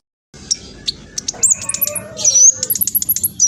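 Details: Olive-backed sunbird singing fast and vigorously, used as a lure to draw replies from other birds: rapid high thin chirps and short trills, with one long bright whistle sweeping upward, over a low background murmur.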